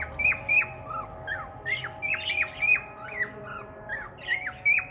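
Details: Male cockatiel with red eyes courting a female budgie, whistling a lively song of sharp, falling and rising notes about three per second, some squawky notes mixed in, over a steady low indoor hum.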